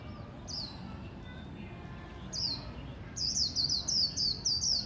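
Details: Oriental white-eye, a competition songbird readied for a new contest season, singing in the líu style: a few isolated high thin notes, then a fast run of sharp, twittering, downslurred high-pitched phrases repeated several times a second, over a low background hum.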